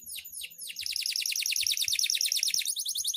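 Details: Canary of the loper style singing intensely at night: opening downward-sweeping whistled notes, then a fast, even trill of rising chirps repeated about three times per second, high and continuous.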